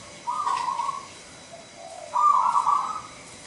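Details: Local wild-type zebra dove with a big voice, singing actively in 'nggayer' style: two long, level, vibrating coos with a softer low note between them.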